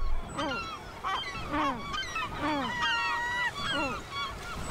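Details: During a territorial border dispute, a Herring Gull pair and a neighbouring Great Black-backed Gull trade loud, mewing yowls that arch and fall in pitch, about one per second, with a longer, level, drawn-out wail in the middle.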